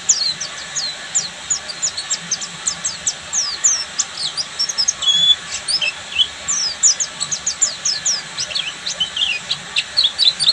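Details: Full ngeriwik singing from an Oriental white-eye, buxtomi type: fast, thin, very high ticking chirps strung in long rapid series, softer than the surrounding background hiss at times.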